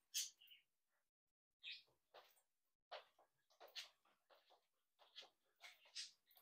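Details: Home-bred budgerigar colony, chicks and adults interacting, talking, tweeting and singing: a busy run of short scratchy chirps and squeaks, repeated irregularly about every half second, with faint rustling.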